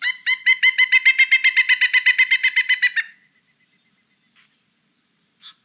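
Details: Pileated Woodpecker, the largest woodpecker in Kentucky, giving its very loud call series that echoes through woods: a loud, ringing series of about eighteen quick, even notes over three seconds, then quiet with a couple of faint ticks.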